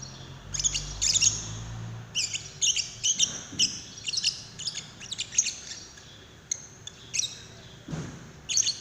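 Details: Lovebird call used as a prompt for another lovebird to sing, a busy run of piercing high chirps and squeaks in quick irregular clusters, with a brief low thump near the start and a knock near the end.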